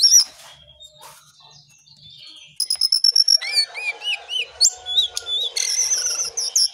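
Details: Lesser shortwing (cingcoang coklat) pouring out a bright song: a loud opening whistle, a quiet pause, then quick successive clear whistles, twisting slurred notes and warbled phrases at high pitch.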